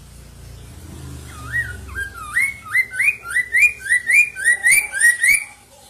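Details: Black-throated laughingthrush (poksay mandarin) giving a loud, carrying song meant to stimulate caged poksay to sing: around ten rich rising whistled notes in even succession after a quiet hum-filled start.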